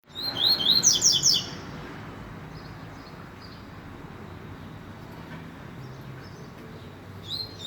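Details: Rusty-collared seedeater song: a quick burst of high, sharp, zigzag whistled notes lasting just over a second, then near silence with faint low background hum.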